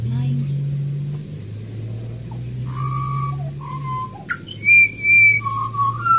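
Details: Wild Australian pied butcherbird singing after a steady low engine-like drone fades: bright high whistled notes and lower fluting tones in quick succession.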